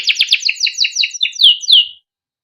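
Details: Canary song used as a tutor for young canaries: a quick run of about a dozen bright chirping notes falling in pitch, ending in two longer slurred whistles.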